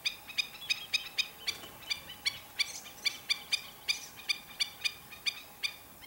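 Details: Black-winged stilts in a repeated series of yapping, nasal calls, slightly uneven rhythm with overlapping notes suggesting more than one bird, against a quiet low background.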